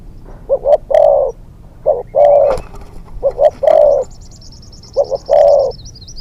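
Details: Decoy spotted dove in training for hunting, a new young bird, repeating a low phrase of two quick notes and one long coo about every one and a half seconds; a thin high whistling bird call sounds near the end.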